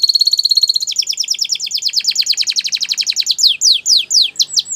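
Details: Gloster canary song opening with a fast, steady, high trill, then shifting into a long series of quick repeated falling notes that slow into wider, looping whistled sweeps.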